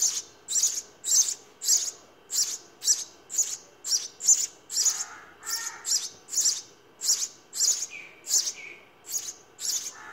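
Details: House sparrow nestlings begging while being fed in the nest: high, thin chirps repeated about twice a second in a steady series, with a few lower chirps partway through.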